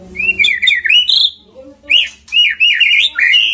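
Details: Lure recording of white-rumped shama song: warbled, wavering whistled phrases that rise and fall, in three bursts with short pauses.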